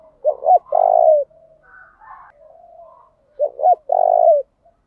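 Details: Decoy spotted dove calling continuously with changing patterns to provoke wild doves: a phrase of two quick sharp notes and a long vibrating coo, soft murmured notes in between, then the same loud phrase repeated about three seconds later.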